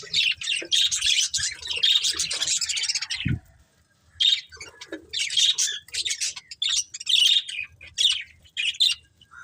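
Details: Breeding pair of pet budgerigars: a long run of busy warbling chatter, a pause, then short separate bursts of chirps roughly every half second to second.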